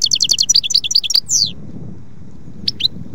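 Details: A European goldfinch gives a quick run of repeated high chirping notes, then a buzzy slur, falls silent, and adds a few scattered twitters near the end.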